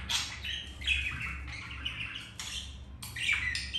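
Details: Budgerigars in the act of mating, following rejection by a white-grey budgie; softer scratchy warbling with short chirps runs steadily, then sharp squawks flare at the end over a noticeable low hum.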